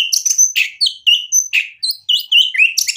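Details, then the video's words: White-rumped shama singing full of isian, the varied filler phrases in its song, meant to rouse other shamas into answering: a rapid run of high whistles, sharp chips and buzzy slurred notes, dense and unbroken for three seconds. "MURAI BATU GACOR bikin EMOSI jadi NYAUT BUNYI BONGKAR MATERI ISIAN | murai full isian"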